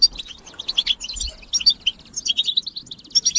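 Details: European goldfinch chorus for stimulating males to sing: quick tinkling chirps and short buzzy trills in tight clusters, broken by brief gaps, over a quiet background.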